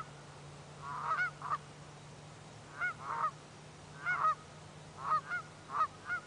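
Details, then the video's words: Alarmed geese honking at an approaching person, giving paired and single nasal honks about every second, with a steady low hum underneath. "Geese - The Alarm Has Sounded!"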